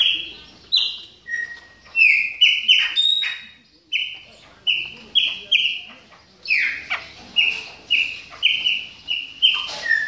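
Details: Chopi blackbird warming up during moult, pouring out whistled calls with sliding and flat notes, steady rhythm of roughly two a second through the latter half.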